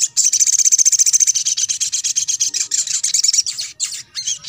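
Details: Sogon song used as a therapy track to stir a rarely singing sogon into singing: a fast, high, scratchy chattering run of rapidly repeated notes, a little over three per second, then breaking into looser, sweeping chirps.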